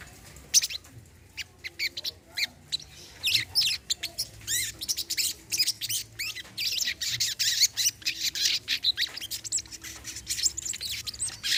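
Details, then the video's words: Brown-throated sunbird singing in a recording meant as therapy for birds that have stopped singing: dense bursts of sharp, high, twittering chirps and trills, rising in pace and loudness through the second half, with a faint low hum beneath. "BURUNG SOGON KOLIBRI KELAPA MACET BUNYI"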